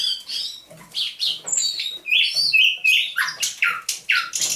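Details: A thrush nightingale kept in captivity since May 2019, when it was caught near Saint Petersburg, sings at dawn on 27 November 2021: brisk chattering notes build into louder swooping whistles and buzzy strokes, growing stronger toward the end.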